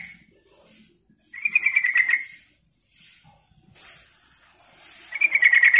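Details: Luring call of a sooty-headed bulbul: three bursts of fast chattering notes, each with a thin high whistle at the start, separated by quiet gaps.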